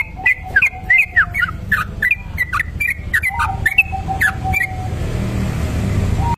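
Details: Sooty-headed bulbul in a lure recording of its long 'ropel' song: a fast series of choppy whistled notes with a thin steady tone beneath, running for about four seconds before giving way to hiss.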